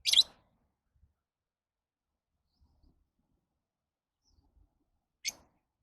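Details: Two piercing, harsh lovebird shrieks about five seconds apart, each brief and very high, with near silence between them.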